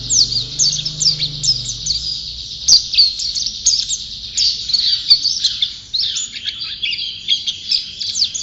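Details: Prolific champion white-eye giving an energetic, high-pitched warbling song of quick chirps and slurred notes, loud and busy, pulsing in short bursts; a brief low hum at the start.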